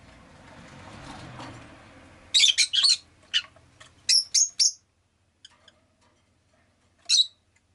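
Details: Pet rosy-faced lovebird chirping: a quick burst of shrill, harsh chirps, then a rapid cluster of sharp notes and a lone squeaky chirp after a pause, with a soft low hum at the start.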